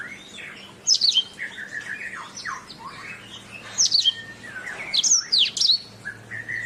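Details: Canary song meant as a tutor for training songbirds: loud clusters of sharp, high descending whistles arrive in bursts around the first, fourth and fifth seconds, over a softer, lower warbling chatter running throughout.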